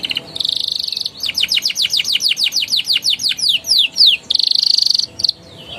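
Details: Canary ngeroll and ngeriwik singing meant to get young canaries to sing: a buzzy rolling trill, then a run of descending whistled notes that speed up, then another roll.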